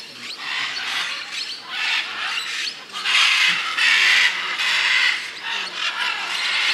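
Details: Several scarlet macaws (Ara macao) in Peru call together, giving harsh, raspy squawks in overlapping bursts over a broad hiss of outdoor background.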